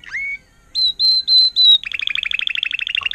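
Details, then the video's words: Agate topaz intensive yellow Timbrado canary, a tutored bird recorded in 2018: a rising whistle, four sustained high pure whistles, then a rapid rolling trill of bright repeated notes. "Gelehrter Vogel mit Timbrado-Gesang"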